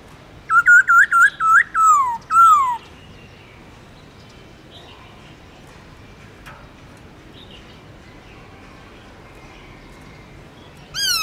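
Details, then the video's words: Black-throated laughingthrush in forest-style song: a short run of quick bouncing whistled notes ending in a long falling slur, then near-silence until one bright whistle at the very end. "Khướu Bạc Má Hót Giọng Rừng LUYẾN DÀI HAY"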